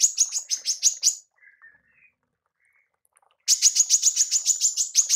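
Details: Female manggar, a tutor recording for songbird training: a quick run of buzzy high chirps, a pause with a few faint low warbles, then another dense burst of rapid chirps.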